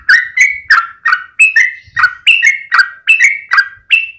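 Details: A lively series of slurred, gurgling chirps from a yellow-vented bulbul, about three notes per second with no break. The recording serves as a lure to make other bulbuls sing.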